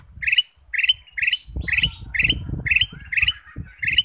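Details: Kutilang emas bulbul song as a lure to get other birds singing: bright chirped phrase repeated about twice per second, fairly steady, over continuous low rumbling noise.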